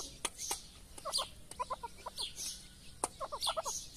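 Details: A mother grey francolin feeding her chicks gives soft, low clucks in quick bursts of three to five notes, with the chicks' faint high peeps and sharp tapping clicks between them.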